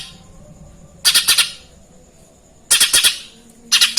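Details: Lesser green leafbird delivering Eurasian tree sparrow imitation in lively song: three bursts of four or five quick, scratchy chirps each, separated by pauses of about a second.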